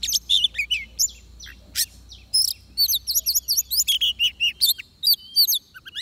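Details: Oriental magpie-robin singing during trapping with a decoy bird: rapid varied phrases of high whistles, sharp upslurred and downslurred notes and short chirps in quick bursts, with a faint low hum underneath.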